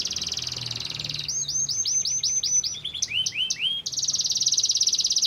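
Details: Canary song to provoke other canaries: a buzzy trill, a run of looping whistled notes with lower slides, then a fast rattling trill.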